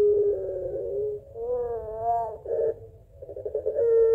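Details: Puter pelung barbary dove calling its mate in the long crying-laughing style. A wavering tone slides up and down, then rough bubbling notes follow and give way to a fresh steady tone.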